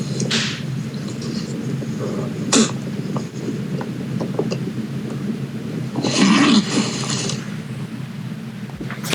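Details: A California condor in California, a mostly silent bird heard only at close range, gives three breathy, rasping hisses with a low grunting undertone, spaced a few seconds apart over a steady background hum.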